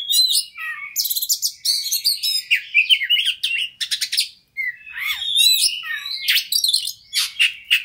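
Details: A white-rumped shama sings fast and varied as a lure to stimulate a fighter bird, alternating rattling buzzy bursts with clear whistled slurs and sharp chips, briefly pausing mid-song.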